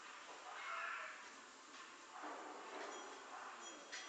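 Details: A tame, trained Nias hill myna (Gracula robusta) from Nias, Indonesia, imitates human speech in two hoarse, voice-like phrases about a second apart, followed by a brief sharp note.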